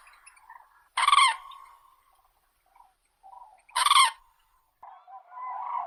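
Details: Crane uttering two short, loud, rolling bugle notes about three seconds apart, with faint lower calls between them and a drawn-out quieter call at the end.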